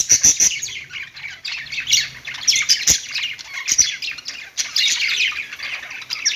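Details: Singing pet budgies: harsh squawky chatter mixed with quick tweets and high sharp clicks, a dense, nonstop flock warble with strong surges.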